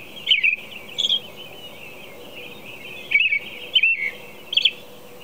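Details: At 4:00 a.m., an American robin sings five short, clear caroling phrases, rising and falling, with gaps between them, over a steady high hiss of background noise.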